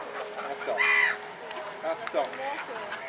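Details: A ruddy shelduck at Pairi Daiza zoo in Brugelette, Belgium, gives one loud, nasal, goose-like honk, followed by a few fainter, shorter calls over steady background noise.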